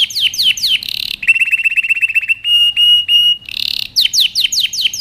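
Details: Powerful canary song for training: sharp descending chirps, a buzzy burst, then a rapid metallic trill at a steady pitch, three long flat whistles, another buzzy note and fast falling sweeps.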